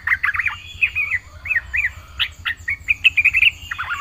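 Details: Lively yellow-vented bulbul singing with full fill-in phrases: varied bubbly arches, quick chips and warbled trills follow one another almost without pause, ending in a rapid chattering burst.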